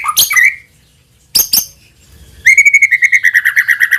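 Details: White-rumped shama song played to lure other shamas into singing: two sharp high bursts separated by silence, followed by a steady, evenly pulsed whistled trill that slowly drops in pitch.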